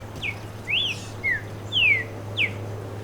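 Streaked saltator singing five clear, slurred whistles, some rising and some falling, spaced about half a second apart over a low steady hum.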